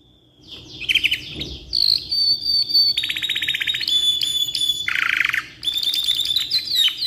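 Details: Canary singing a long varied song meant for tutoring: fast dry rattles, rolling trills at several pitches, sharp high whistles and a lower buzzy roll, delivered almost without pause.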